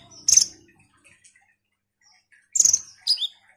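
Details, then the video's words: Ruby-cheeked sunbird giving sparse song: a brief shrill trill, a long silence, then another high trill and a falling two-part chirp. "Pancingan KONIN GACOR INI DIJAMIN bikin KOLIBRI NINJA lain EMOSI Rajin Bunyi"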